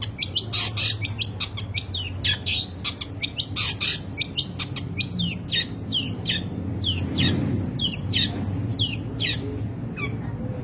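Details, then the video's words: Long-tailed shrike singing an erratic, varied medley: busy stream of sharp chirps, squeaks and slurred whistles, continuous for ten seconds over a loud low droning background. "burung cendet materi melimpah gaya urakan alias gak karuan"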